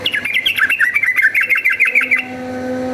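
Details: Yellow-vented bulbul giving a bubbly fighting song, used as a lure to stir other bulbuls into fighting: a dense, rapid stream of warbled, bouncing notes that stops abruptly, leaving a faint steady hum.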